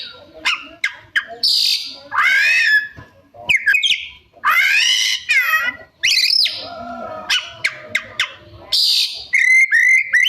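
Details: Oriental magpie-robin in full song, showing off a varied repertoire of imitated phrases: rapid sharp chirps, bursts of high buzzy notes, and rich rising whistled slurs, delivered in quick, irregular bursts separated by short pauses.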